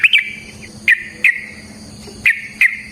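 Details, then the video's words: Sooty-headed bulbul, a lure recording meant to make other bulbuls sing, in the ropel variasi nrotok ngecuplik style: a handful of short, sharp chirps with upward flicks, spaced irregularly with quiet gaps between them and a faint buzzing hum underneath. "Suara Burung TRUCUKAN gacor ROPEL VARIASI NROTOK NGECUPLIK pancingan trucukan agar JADI trucuk GACOR"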